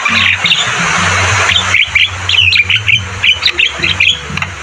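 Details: A Javan myna singing actively, recorded as training audio for other birds. A harsh, noisy squawk opens into a run of clipped whistled and chattering notes repeated several times a second, with a low hum underneath.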